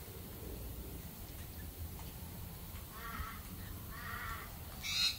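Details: Australian galah giving two short, harsh, grating calls in the second half, each a rough buzzy burst, over steady low background rumble with a brief sharp high note at the very end.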